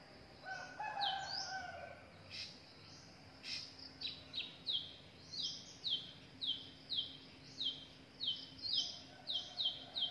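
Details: Young drongos, already grown, with parents in the wild; after a few mixed notes, a long run of sharp downslurred high chirps repeated about every half second.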